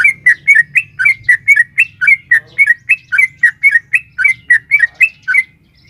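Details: Female sooty-headed bulbul calling to a male, recorded as a lure to provoke caged birds: a long, steady series of about twenty chirpy, bubbling notes, each a quick up-down flick, delivered rapidly and evenly over clean quiet background.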